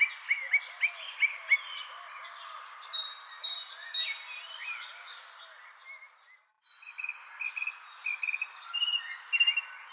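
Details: Birds chirping on a spring evening: many short whistled notes, some sliding up or down, in quick overlapping bursts, over a steady high-pitched insect drone that drops out briefly near the end.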